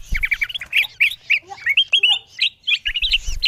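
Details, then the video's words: Bulbul lure call to pull in wild birds: harsher squawking chirps and sharp inflected notes in uneven bursts, with low thuds at start and finish. "Suara pikat kutilang emas memanggil burung liar paling ampuh"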